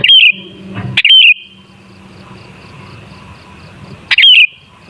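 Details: A sooty-headed bulbul gives short, rich whistled phrases, played to provoke bulbuls into song. Two phrases come close together, then a pause of about three seconds before another.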